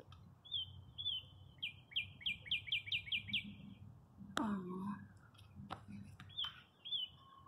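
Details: Birds chirp at a parking lot in spring, following many cold days: a rhythmic volley of high, clipped chirps accelerating over three seconds, then a loud clattering bang and a few more scattered chirps.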